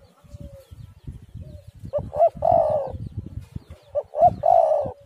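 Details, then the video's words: Spotted dove call played as a lure to set other doves calling: two phrases, each a couple of short rising notes then a long, steady, slightly falling coo, over soft low rumbling background noise. "tekukur super gacor suara burung derkuku"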